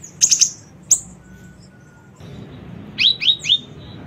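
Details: Lure recording of a small siri-siri bird: a quick cluster of very high chirps, a single sharp note, a pause, then three short downslurred whistles in fast succession.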